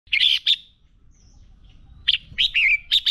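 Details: Red-whiskered bulbul fighting song used for training a caged bird: two loud bright chirped phrases near the start, a pause, then a run of clear whistled and warbled notes ending the phrase.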